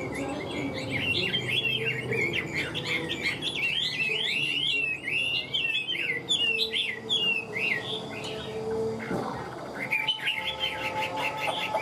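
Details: Extended song from a caged Hwamei: a long flow of quick, twisting whistled notes, a short lull near the end, then the warbling resumes.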